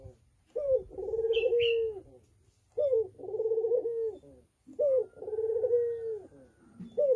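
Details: Male Barbary dove courting a female: low hummed coos, each a short opening note followed by a long steady coo, three phrases spaced about two seconds apart, with a brief higher chirp in the first.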